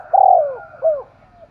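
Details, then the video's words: Spotted dove in spirited thúc gù cooing: one long, loud, mellow hoot that slides downward, followed by a shorter falling coo and a faint trailing note. "Tiếng chim cu gáy thúc gù cực sung"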